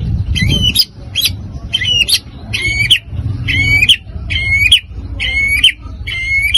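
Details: White-rumped shama in a provoking performance aimed at other birds: a harsh, buzzy, ringing note repeated about once every second, seven times, with low rumbling noise between notes.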